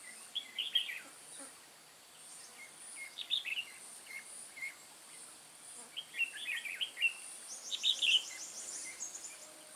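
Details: Decoy red-whiskered bulbul from Hòa Bình used in trapping, 10 May 2017, giving short bursts of bright, chattering warbled notes in clusters, with quiet gaps between phrases and a constant high hiss behind.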